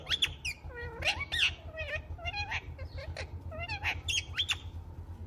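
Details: Pet rose-ringed parakeet talking in quick speech-like syllables, with harmonic falling and rising notes and sharp high chirps scattered through, steady low hum behind.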